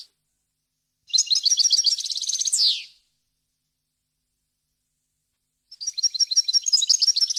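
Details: Two phrases of European goldfinch song for tutoring fledglings: a dense rapid trill of liquid chirps ending in a sliding buzzy note, a long silence, then another fast chattering trill.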